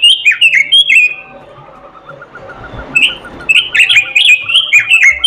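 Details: Robin singing melodiously: a burst of loud whistled notes, a noisy lull with soft rapid ticking, then a long lively run of sharp chirps and slurred whistles.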